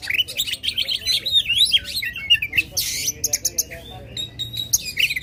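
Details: Oriental magpie-robin singing loudly to provoke contest birds: rapid mix of slurred whistles and scratchy chatter, then a harsh noisy burst and short clicking notes, over a faint low hum.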